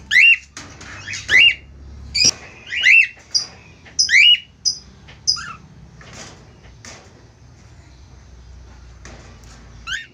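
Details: A pair of budgerigars (Australian parakeets) give a run of sharp chirps and rising squeaky notes, bunched in the first six seconds, then fainter scattered chatter over quiet room noise.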